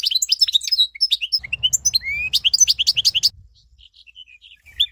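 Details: Rapid goldfinch song from a bird-training recording: tinkling, twittering notes and buzzy slurs pour out for about three seconds, then fade to near quiet before a new burst starts, with a faint low rumble beneath.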